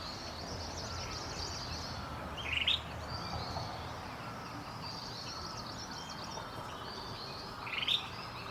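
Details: Crested finchbill giving two short chirpy calls about five seconds apart, each a quick rising-then-falling note, over a steady hiss of distant birds and insects.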